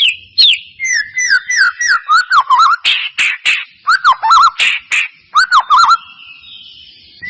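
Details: White-rumped shama song used as a lure to make caged birds sing: rapid run of descending whistles, then bright rising and falling warbled notes, fast and varied, ending in a fading echo.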